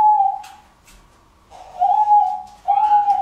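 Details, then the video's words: A diamond dove gives three soft, drawn-out, whistled coos, fairly high and level; the middle note is longest and swells slightly. "Diamond dove (ঘুঘুর ডাক)"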